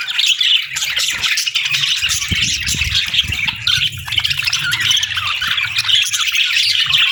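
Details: Morning chorus of budgies: steady overlapping chirps, squeaks and warbles, with a low rumbling hum running beneath the chatter.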